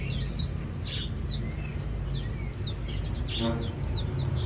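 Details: Energetic ciblek song of clear, high-pitched downslurred chirps coming in rapid clusters, some overlapping, with faint low rumble underneath.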